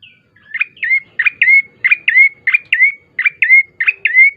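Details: Bar-winged prinia song used as a lure to prompt other birds to sing, a bright series of about eleven sharp chirps, each dropping then rising in a short upward sweep, delivered rapidly and evenly in a clean recording.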